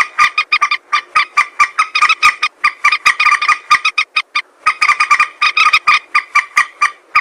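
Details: Rapid, harsh clucking and croaking of a common moorhen, played as a hunting lure; the notes run in dense chattering series broken by one brief pause.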